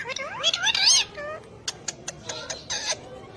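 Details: Ring-necked parakeet speaking: a quick string of wavering, whiny speech-like syllables, then softer downward-curving notes mixed with sharp clicks and taps.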